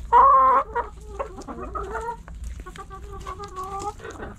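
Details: Hens and roosters in a backyard, pecking and scratching: opens with a loud, half-second nasal squawk, followed by a run of bent, quavering clucks and a longer wavering tone, quieter toward the end.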